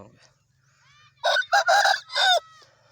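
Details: Aseel rooster from Pakistan crowing in four broken, hoarse bursts over about a second, with an ending that slides downward, preceded by faint distant crowing.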